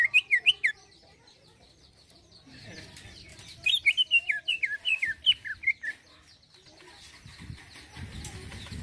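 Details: Greater green leafbird giving a smooth 'isian halus' song. Short bursts of quick whistled and twittering notes are separated by quiet gaps, over low background rumble and faint clucking sounds.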